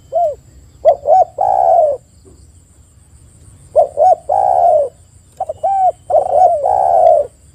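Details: Spotted dove used as a lure to prompt other doves to call: phrases of two or three short coos followed by a long, drawn-out falling coo, repeated three times over a quiet, steady background.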